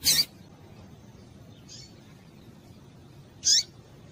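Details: Female rusty-collared seedeater call intended to make males sing: two sharp, high, slightly descending chips about three seconds apart, with one faint soft note between, over quiet hiss.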